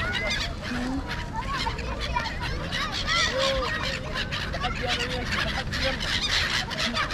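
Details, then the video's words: Many birds circling noisily around a mall in Kuwait, where people have gathered to watch. Their rapid, overlapping chattering and squawking calls rise and fall without pause over steady crowd voices. "Angry Birds at Marina Mall (Noisy Birds)"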